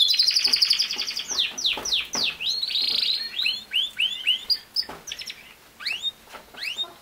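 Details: Canary singing used to teach a young male canary, kept alone in his own cage, to sing: a loud rolling trill, then varied down-slurred whistles and chirps that thin out and grow quieter toward the end.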